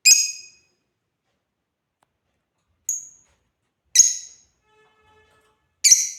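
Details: Playing African lovebirds give four sharp, shrill chirps spread unevenly over six seconds, one thinner and purer than the rest, with faint soft tonal notes in between.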